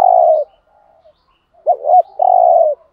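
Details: Lure spotted dove from Dak Lak, Vietnam. A long low coo fades out, then after a pause comes a wavering double note and another sustained mellow hoot, in a quiet setting.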